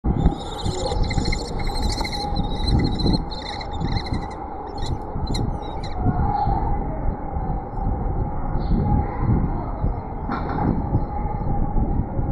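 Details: Young kestrel nestlings in the nest give shrill, rapid chittering calls over a heavy low rumble as the male brings them a live gerbil for breakfast.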